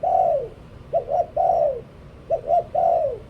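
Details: A decoy spotted dove coos in quick succession: a long falling coo, then two phrases of twin short coos each followed by a drawn-out descending note.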